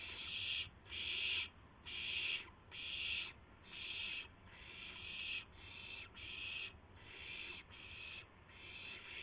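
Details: Owls at about 5:50 AM on March 26, 2016, when gopher and mouse prey are brought; rhythmic series of harsh hissing screeches, roughly eleven bursts in nine seconds, each rising then fading.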